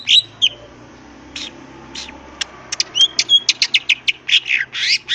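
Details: Greater green leafbird with crest raised in nonstop ngentrok-style song full of filler phrases: scattered sharp chips, then quickening bursts of high scratchy and whistled notes.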